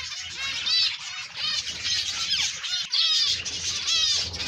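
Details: Zebra finches kept for breeding give a dense chorus of short, nasal, high chirps and quick rising-then-falling notes that overlap continuously, with a low steady hum underneath.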